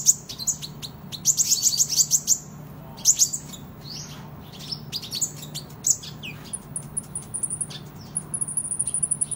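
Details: Kolibri ninja (Van Hasselt's sunbird) singing vigorously in fighting style for tutoring: dense chattering bursts of high chirps, then a sustained, even higher rapid trill toward the end, with low background hum.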